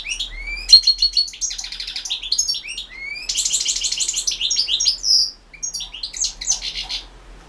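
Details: European goldfinch performing in the 2016 World Championship in Goldfinch Song held over the internet; long, dense, liquid twittering with rising slurred notes and rapid trills, almost continuous, one brief pause near the end.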